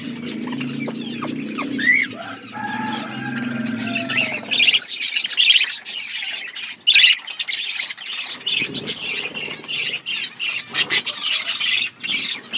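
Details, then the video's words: Budgies kept in an outdoor aviary giving a continuous flock chatter; low hum and a few whistled notes at first, then rapid, scratchy chirps and warbling that pulse quickly and steadily through to the end. "Wild budgies in my outdoor aviary birds chirping sounds"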